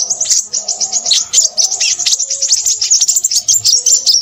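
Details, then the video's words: Crimson sunbird in busy, unbroken high-pitched chatter: hurried squeaky notes run together in a tumbling flow, with faint low sounds behind. "burung sepahraja ribut"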